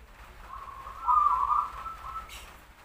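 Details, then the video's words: Local Indonesian zebra dove of the 'sarang tanah' type, singing actively. One smooth, whistled coo phrase rises and then holds steady and level. It swells in the middle and fades out, over a quiet background. "suara perkutut lokal, katuranggan sarang tanah gacor bersusun double"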